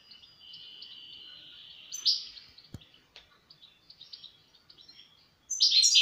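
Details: A European goldfinch holds a thin high tone, then adds scattered twitters, with a single sharp click midway and a loud burst of twittering chatter at the end.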